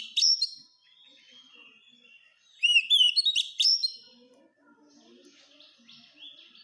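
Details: Masteran song of the kacer (Oriental magpie-robin): brief loud chirp bursts, quiet thin whistles, a rapid series of arched whistled notes, then faint low twittering.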